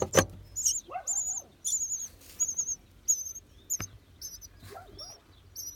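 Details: Nestling birds heard inside a mailbox, parents thought to be nearby: short high thin chirps repeated about twice a second, with some lower squeaky notes and a few sharp knocks.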